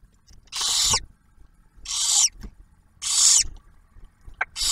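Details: At the Ohio refuge barn owl nest, male delivers prey and female shares it with the just-hatched owlet; long rasping hissed screeches roughly every 1.2 seconds, with faint taps between.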